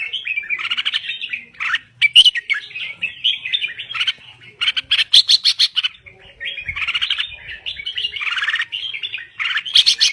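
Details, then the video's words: Red-whiskered bulbul from Thailand singing vigorously: bubbly, liquid whistled warbles rising and falling through quick phrases, broken by sharp clicking chatter, with short gaps between bursts. "Kicau Burung Merbah Jambul Gacor"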